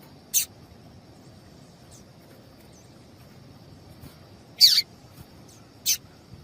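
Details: Female double-collared seedeater call used to excite a male into song: three scattered high, sharp chips, the middle one longer and slightly sliding down, separated by silent gaps.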